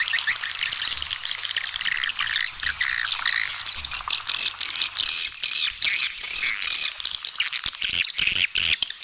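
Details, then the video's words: Calling sound meant to attract swiftlets at feeding areas and flight paths, stereo mix with supporting calls: thick, steady chatter of shrill twitters and chirps, breaking into rapid clicking bursts toward the end. "Suara Panggil Burung Walet"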